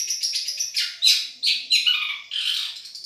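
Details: Long-tailed shrike of the Madura type, a song-tutoring recording: a varied run of harsh buzzy notes and short chirps, some sweeping downward, high-pitched with uneven spacing.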